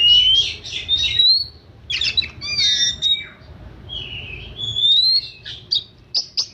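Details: Kacer, an oriental magpie-robin, in 'manja' style: rich rising whistles mixed with harsh squawky phrases and short sharp notes, a low background hum throughout.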